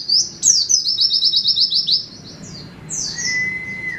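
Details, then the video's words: White-eye song from Indonesia, called 'setan timur': rapid high twittered phrases, a fast series of repeated downslurred notes, then a lower steady whistle near the end. "setan timur #pleci"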